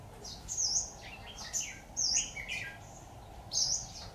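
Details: Red-whiskered bulbul recorded during trapping with a decoy, 26 October 2019; sharp, high whistled chirps come in quick bursts roughly every second, with softer notes between them over a low rumble.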